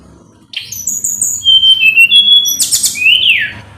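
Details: Mountain tledekan singing at full power to provoke a rival into responding: sharp high whistles and bright chirps, a burst of dense buzzy notes, then a loud downward-sliding whistled phrase.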